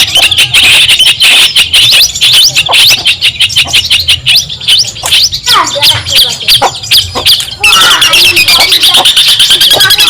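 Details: Long-tailed shrike from Madura, Indonesia, recorded as a tutor song for training other songbirds and said to provoke rivals: a fast, dense chatter of sharp high chips and buzzy notes, almost continuous, with one brief pause before resuming strongly.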